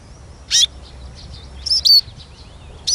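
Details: Eurasian siskin giving short, loud chirps with a thin falling whistle, three bursts in three seconds, over a faint high wavering twitter and low background rumble.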